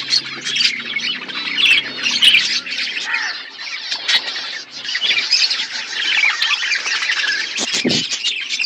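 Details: Budgerigar flock feeding on winter food in Asia: dense, continuous chirping and warbling chatter, high and overlapping, with scattered sharp squawks and brief wing flutters.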